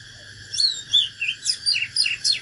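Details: Oriental magpie-robin singing in a natural fighting-song style, a run of loud, clear, sliding whistles and short downslurred notes about every quarter second, over steady background hum and a low drone.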